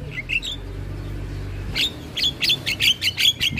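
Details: Javan myna in head-bobbing display, its song used to tutor other birds. A brief whistled phrase, a pause, then a rapid string of short harsh chirps, around three per second.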